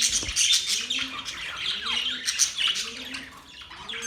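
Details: Pet budgerigars singing mating sounds: busy, high twittering with scratchy squawks and a few thin whistled slides, fading slightly toward the end, with faint low tones beneath.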